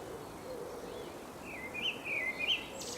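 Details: Common blackbird singing in England: a faint, quiet phrase of fluty warbled notes around the middle and end, with a few higher twittery flourishes, over steady low background hiss.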